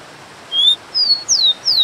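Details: Rufous-collared sparrow (Zonotrichia capensis) with a constant waterfall hiss: a flat high whistle, then a slightly falling note and two sharper downslurred whistles.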